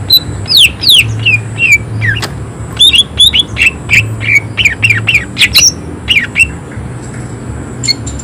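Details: Cucak ijo, the greater green leafbird, in energetic form delivering rough, emotional 'tembakan' shots. A rapid string of loud, sharp down-slurred whistles and chips runs through most of the stretch before easing off, with a steady low hum beneath.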